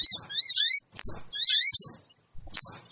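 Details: Sogon (sooty-headed bulbul) lure call used to draw wild birds together quickly: high, harsh, buzzy screeching phrases in three bursts, each under a second, with brief silent gaps and faint low clicks.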